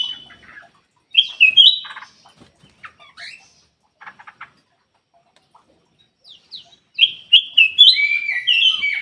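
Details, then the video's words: Golden-fronted leafbird singing: a short burst of clear, high whistled and chattering notes near the start, sparse ticks in the middle, then a fuller run of bright, varied whistles falling in pitch toward the end. "KUTILANG EMAS \ CUCAK EMAS SUARA ASLI SUARA JERNIH"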